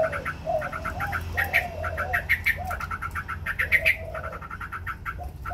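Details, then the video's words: White Chinese hwamei singing in competition while spreading its wings: quick series of short, bright repeated notes, interspersed with lower, mellow gurgling phrases; steady low background hum. "Hoành hoạch trắng hót đấu xòa cánh.."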